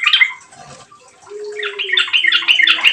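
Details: Yellow-vented bulbul singing briskly, used to coax other birds into song: a short chirpy opening, a quiet gap with a faint low hum, then a rising run of bright, rapid bubbling notes.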